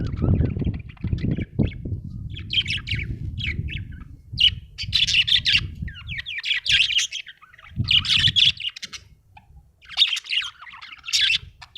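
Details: Happy pet budgie warbling: bursts of scratchy chirps and chatter every second or two, separated by quiet gaps, over intermittent low rumbling noise.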